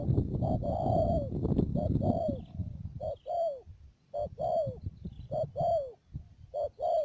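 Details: Decoy spotted dove, a trapping bird at Mương Điều, Đầm Dơi, Cà Mau, 12 March 2019. Human speech at first, then clear repeated cooing: a clipped note followed by a longer falling coo, several times, with a high steady tone behind.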